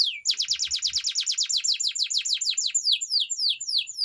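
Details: Canary singing a training song: a steady series of sharp descending sweeps, about four per second, that gradually slow and drop lower toward the end.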